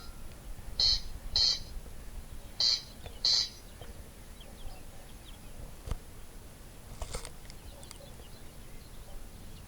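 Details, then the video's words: Corncrake giving four short, harsh rasping bursts in two pairs within the first few seconds, followed by quieter rustling and background noise. "Sound of Nature (Corncrake)"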